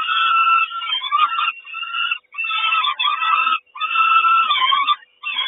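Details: Mother peregrine falcon bringing breakfast to the Kawęczyn nest, 3 June 2022: coarse, nasal screeching in four bursts of about a second each, with short quiet breaks between them.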